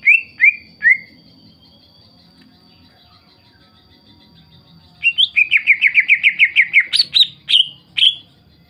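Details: Greater green leafbird song used as a lure to provoke other leafbirds into singing: three short rising whistles, a pause, then a fast run of about a dozen rich warbled notes ending in sharp separate whistles, with faint low background noise.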